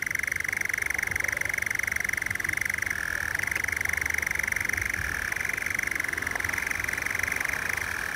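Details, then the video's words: On heathland at twilight in summer, a European nightjar churrs in an unbroken, rapid mechanical rattling trill that dips to a slightly lower pitch twice, then returns; no other sounds stand out. "If you are lucky, you can see it, but almost always you can hear it, the strange rattling purr of the nightjar."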